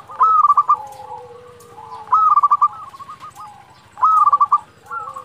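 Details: Local zebra dove singing to provoke rivals into answering: three bright bursts of rapid staccato cooing notes, each about half a second, roughly every two seconds, with fainter dove cooing and a low hum behind.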